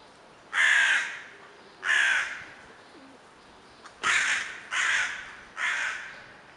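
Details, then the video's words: Crow calling: five harsh, drawn-out caws, each about half a second long, the first two spaced well apart and the last three closer together, over faint background hiss. "Крик вороны"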